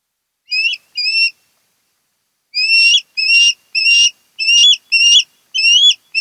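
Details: Osprey of a mated pair at a Kent Island, Maryland nest, recorded 10 August 2018: two quick high whistles, a short silence, then a steady run of about eight loud rising chirps, roughly one every half second.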